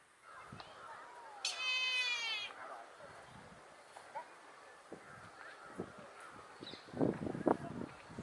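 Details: A Brahminy kite (Haliastur indus) at Kasavanahalli lake, Bangalore, India, gives a single drawn-out, wheezy, mewing cry of about a second with a slight quaver, followed by quiet rustles and a few sharp knocks.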